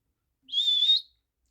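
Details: A pet Monk Parakeet (Quaker Parrot) whistles on cue after being asked to whistle again: one clear, steady, high whistle lasting about half a second, rising slightly at the end, in a quiet room.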